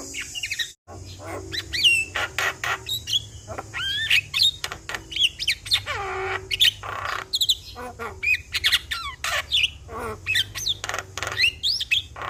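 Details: Loud Javan myna in full voice as lure sound for a stressed bird, alternating squawks, harsh rasps and looping whistled notes, with one long falling whistle midway; steady high hiss throughout.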